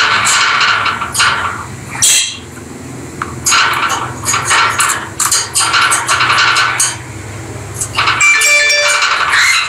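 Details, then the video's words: Pet peach-faced lovebirds chatter while playing together, giving rapid harsh chirps in clustered bursts that end in a run of tinny, ringing squeaks. "Lovely Lovebird Noise Peach faced Lovebird and Rosy faced Lovebird"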